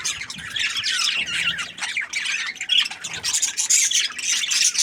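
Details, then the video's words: Short burst of budgerigar chatter: scratchy high chirps and warbling squeaks come in uneven surges, rising louder toward the end. "Budgies Parrot chirping sound | parakeet sounds"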